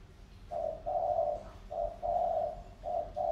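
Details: Decoy spotted dove of Sóc Trăng stock, two years tamed from the wild, cooing keenly: low, rolling coo notes in short-then-long pairs, repeated rapidly after a quiet start.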